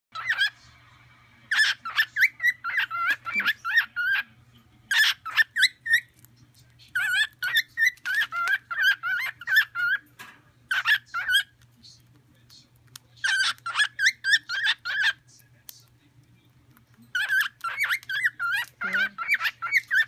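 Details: A cockatiel sings while eating seeds, in bursts of chirpy, warbling whistles broken by short pauses.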